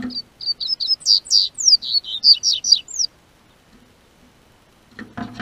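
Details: Double-collared seedeater song, southern Brazil, warm spring weather: three seconds of rapid, ringing high whistles with downward slurs, followed by quiet and then some rustling, knocking noises.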